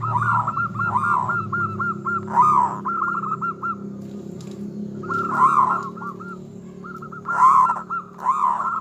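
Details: Zebra dove of local type in lively song, said to fire up rival birds: continuous runs of soft rapid coos broken by louder ringing bubbling notes every two to three seconds, slightly echoing.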